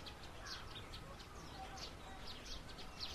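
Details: Plum-headed parakeets mating, giving short, shrill, high notes in quick bursts, several a second, over a steady background rumble.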